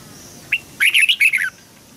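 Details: Red-whiskered bulbul song used to train young birds to learn singing: a single short note, then a rapid run of bright, warbling, up-and-down phrases lasting under a second, over a faint low background hum.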